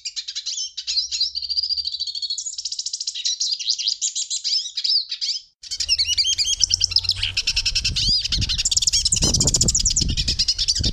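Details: Hooded siskin song, a long, rapid twittering of high chirps, buzzes and whistled slurs; in the second half, low rumbling background noise joins the steady singing.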